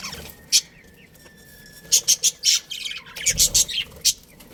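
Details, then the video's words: A breeding pair of budgerigars in a colony: one sharp chirp, a pause, then a quick series of loud, harsh squawky chirps, five or six close together near the end, with softer twittering beneath. "Cute Budgies Chirping Sounds"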